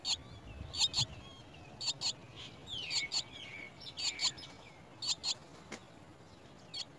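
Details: Chestnut-tailed starling babies being fed worms at the nest: pairs of short scratchy chirps every second or so, with thin looping whistles woven through the middle, fading toward the end.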